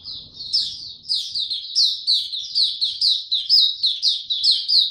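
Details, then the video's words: A maturing young white-eye male singing in Dagger style, recorded 9 February 2022: a steady run of bright, sharply down-slurred high chirps, roughly one each second, linked by thin twitters. "Mata Puteh Dagger Video 1 buka sing tiong aw studying his progress n maturing"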